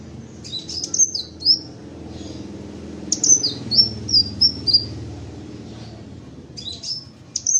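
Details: Caged crimson sunbird uttering very high, clipped down-slurred notes, some in a quick run of five or six, others in pairs, with brief gaps, over a low background rumble.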